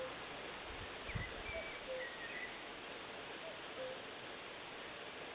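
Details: At Eksta on Gotland a cuckoo gives two soft falling two-note calls within steady hiss, while a thin higher chirping bird and a brief low rustle or thump are also heard.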